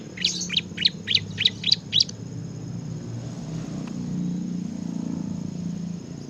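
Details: Bar-winged prinia singing in the lively ngebren style: a quick burst of six sharp, high chirps in about two seconds, then only a low background rumble.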